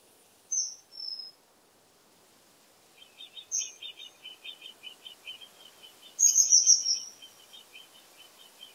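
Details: A Common kingfisher gives shrill, high, piercing whistles in short bursts, with a louder double note near the end, over a steady fast ticking series from another small bird.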